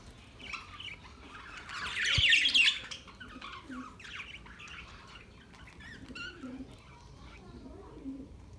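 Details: Budgies chirp and squeak, rising to one loud harsh squawking burst early on, then soft scattered chirps with low murmuring notes behind.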